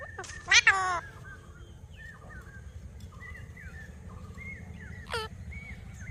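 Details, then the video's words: Talking parrot making natural sounds: one loud, harsh, harmonic squawk near the start, then soft short whistled notes scattered over a steady low rumble, and another brief harsh note late on. "Talking Parrot Making Natural Sounds"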